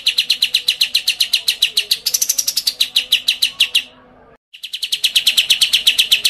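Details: Small bird identified as a white-eye, sung in a fast run of sharp repeated chirps, several per second, high-pitched and ringing, briefly stepping higher before a short gap, then resuming the same rapid chattering series.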